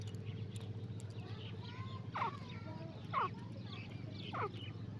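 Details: Black francolin from Sindh calling: three harsh, downward-sweeping notes spaced roughly a second apart, rising above a steady low hum and faint background noise.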